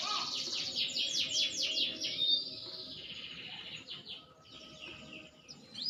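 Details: A maturing green canary in full song: a continuous stream of rapid, high trills and quick sweeping notes, loudest in the first two seconds, dipping softer around four seconds before the fast trilling picks up again.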